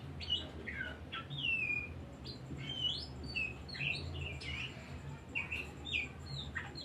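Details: Lure song of an Oriental magpie-robin meant to provoke other birds: a busy run of sharp whistled notes, downslurs and short trills in quick succession, a faint steady high tone behind.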